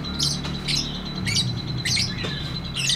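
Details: Lovebird in long 'ngekek' chatter, loud harsh squeaky bursts spaced about half a second apart over a low rumbling hum and a faint steady high tone.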